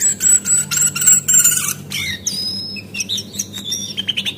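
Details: Female Javan white-eye calls used as a lure to get caged birds singing freely: high thin whistles and fast twittering chirps, some long level notes, over a steady low electrical hum.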